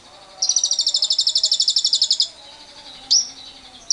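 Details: Lovebird ngekek used to stimulate other lovebirds, with wild birds: one sustained, rapid, high-pitched pulsing trill of about two seconds, then two isolated sharp chirps.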